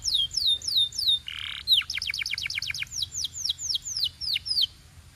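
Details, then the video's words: Singing canary: a few high, sweeping, downslurred notes, a short harsh buzz, then a rapid trill of falling notes that slows into spaced, swooping slurs. "Relaxing Canary Singing Sounds for Bird Lovers"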